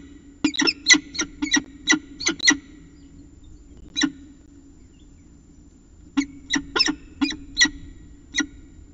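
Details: Early morning chat from a peregrine falcon at CSU Orange, 5:29 am, Christmas Day 2019: a rapid run of about a dozen sharp chupping notes, one lone note, then a second burst of eight, with constant low hum behind.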